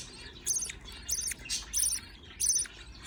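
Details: Budgerigar chicks begging while a parent feeds them: high, scratchy chirping bursts, each about a third of a second long, repeated roughly every half second, with a faint low background hum.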